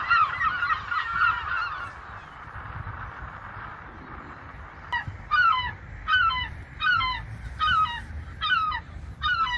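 Gulls give a burst of harsh, overlapping cries, then a series of loud, downward-slurred mewing calls about every three-quarters of a second, over steady surf and wind.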